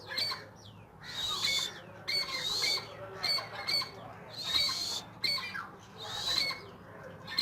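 Grey francolin giving loud, harsh, high-pitched call phrases in four bursts about one and a half seconds apart, with a low steady hum beneath.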